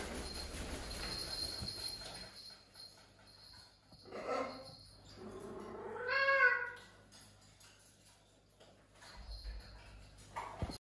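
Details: Parrots hanging out indoors in the main hall of a house they share with other exotic animals: a broad rasping call, then a louder harsh harmonic squawk that rises and falls, over a steady low electrical hum.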